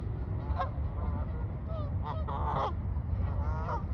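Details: A flock of Canada geese relaxing on the water on a calm day, recorded by phone: nasal, harmonic-rich honks in short irregular bursts, several overlapping, over a constant heavy low rumble.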